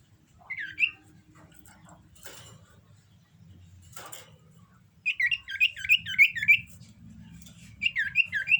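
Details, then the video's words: Breeding-condition common iora: one slurred note, faint clicks, then a rapid rolling series of bright looping chirps, followed by a shorter repeat. "Burung cipo birahi"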